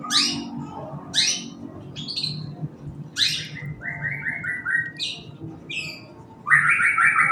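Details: Long-tailed shrike singing in the morning, used to stimulate other birds: sharp, harsh descending rasps, a run of five short repeated mid-pitched notes, then a fast grating trill at the end.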